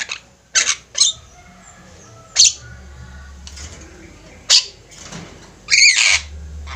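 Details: Flock of Javan mynas calling actively, recorded as a master track for training birds: scattered harsh, raspy bursts, loud and broadband, spaced irregularly with short quiet gaps between them.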